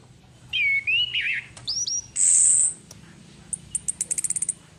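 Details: Orange-headed thrush female, used as a lure to excite other birds: a drawn, falling whistle, short upslurred notes, a loud buzzy high burst, then an accelerating series of thin ticks.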